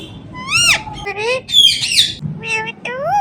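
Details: Talking ringneck parrot repeating "Mithu": rapid harmonic, speech-like syllables that rise and fall, delivered in close succession with a raspy burst in the middle.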